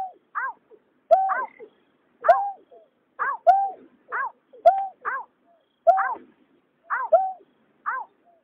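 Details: Male and female white-breasted waterhens calling, linked to night trapping of migratory birds; harsh nasal paired notes, a bent low note then a higher downslurred croak, repeated about once a second without pause, with a quiet background.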